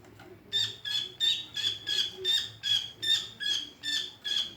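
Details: Greater green leafbird with an unusual voice repeats a sharp, rasping, slightly whistled note about two and a half times a second, steady and evenly spaced, for around four seconds.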